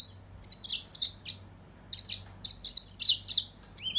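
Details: Mozambique serin song: bursts of high, sweet twittering notes and downslurred chirps in quick phrases, pausing briefly mid-clip before resuming with a denser run of warbled notes; faint low hum underneath.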